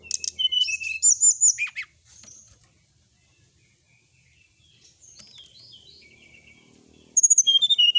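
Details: Sooty-headed bulbul singing on a night-time tutor recording meant to get birds singing: bursts of high, sharp chirps and a quick downslurred note, then near silence with soft twitters, ending in another fast, loud chirping series.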